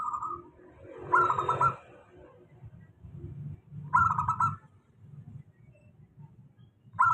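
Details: Local zebra dove song used as a lure for doves that rarely sing; bubbly rolling cooing phrases about every three seconds over a steady low hum.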